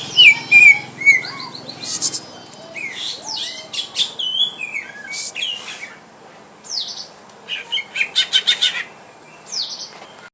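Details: Greater green leafbird kept at home, sparring with a rival to test its nerve, pouring out rapid mixed chirps, slurred whistles and dense trilled bursts, the phrases loud and varied with brief gaps.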